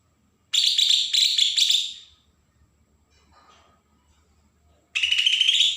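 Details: Agitated song of a Bornean green leafbird, Berau, Kalimantan, used to provoke untrained birds: paired bursts of rapid piercing chatter, a silent gap of about three seconds, then a new phrase rising in pitch.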